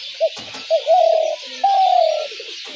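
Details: Spotted dove call of the kind used to lure doves into traps: two short soft coos, then two long, low, drawn-out purring coos, the last slightly falling, over a steady background hiss.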